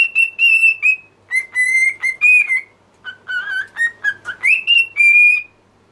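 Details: Pet cockatiel song made of a rapid string of pure whistled notes, level and slightly rising, shifting between higher and lower pitches, with short quick notes clustered in the middle and a sweeping rise near the end.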